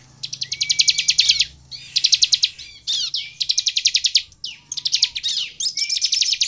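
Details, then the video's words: Bar-winged prinia song meant to make other prinias sing: several fast, high, buzzy rattling trills in bursts of about a second, separated by short gaps and sharp chips. "SUARA CIBLEK GACOR INI AMPUH MEMANCING CIBLEK LAIN LANGSUNG BUNYI DAN GACOR"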